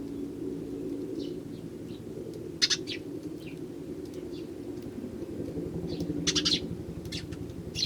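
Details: Eurasian tree sparrows gathering in numbers in early January, a single starling among them; scattered brief chirps, a loud double chirp near the middle and a cluster near the end, over constant low traffic rumble.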